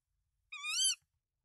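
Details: Single drawn-out, harmonic, gently rising and wavering call of a tawny owl, about half a second long, from a nest in Denmark filmed on 24 March 2024 as the male brings rodents to the female with three eggs.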